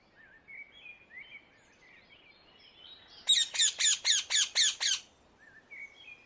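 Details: Wild rose-ringed parakeet in the Netherlands: low twittering notes give way to a sudden burst of seven harsh, evenly spaced screeches, then soft chatter resumes.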